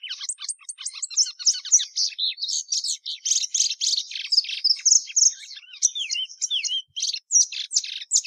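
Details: Plumbeous seedeater (Sporophila plumbea) singing a long, rapid, varied warble of high chirps, trills and sliding whistles, notes tumbling almost without pause.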